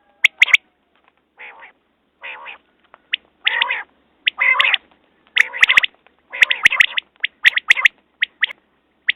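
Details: Quail giving a busy run of calls, with harsh buzzy churrs mixed with crisp, ringing high clicks in twos and threes, the phrases packed closer together toward the end.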